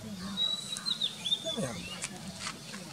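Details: Oriental magpie-robin song of thin, sustained high whistles with short upward and downward slurs, broken by a few clicks, over steady low-pitched background noise.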